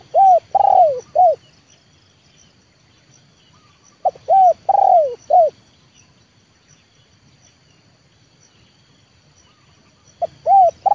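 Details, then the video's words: Decoy spotted dove, a trained lure bird, repeating a mellow four-note cooing phrase about every four seconds, each with a brief opener, a long arched and descending central coo and a short closing note, over faint low background hum. "TEKUKUR LEOPARD AJARAN RASA PIKAT, BERJUANG UNTUK MENURUNKAN BL KE LAMAN"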